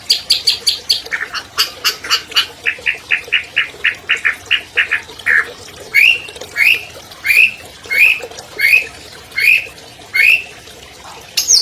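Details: Albino long-tailed shrike, a 2020 contest champion, singing as a lure to get silent captive shrikes singing: a fast run of sharp high chips, then buzzy notes, then rising whistled slurs repeated about every 0.7 seconds.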